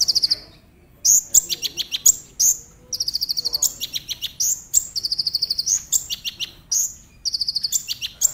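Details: Brown-throated sunbird burst song, tembakan, played to get other sunbirds singing fast: loud, very high stuttering trills of rapid repeated notes alternating with sharp descending chips, in quick unbroken sequence.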